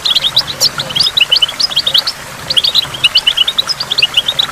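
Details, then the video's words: Goldfinch singing beside a waterfall with water drops: two bursts of rapid, tinkling, twittering notes, each lasting about two seconds and separated by a brief quieter gap, all high and sparkling. "in the waterfall stimulates goldfinch and water drops"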